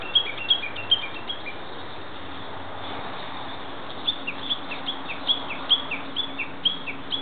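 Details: Japanese bush warbler in the woodland of a nature park, calling: a few short high chirping notes with lower slurred tails open the stretch, a quiet gap follows, then a faster run of similar notes resumes, over steady low background hum.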